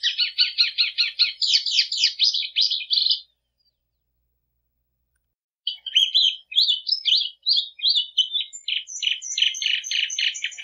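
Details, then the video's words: Clean, noise-free song of a plumbeous seedeater in two phrases. The first is a dense three-second burst of fast buzzy trills. After a silent gap, a second phrase mixes high whistles with rapid chattering notes. "Canto da patativa"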